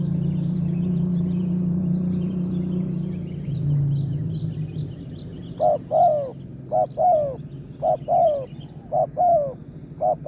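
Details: Spotted dove with a big 'tarik akar' voice, the target of a morning bird-luring session. Low rumbling noise fills the first half, then about five rhythmic paired coos follow, each a short note and a longer downward-sliding note, spaced about a second apart.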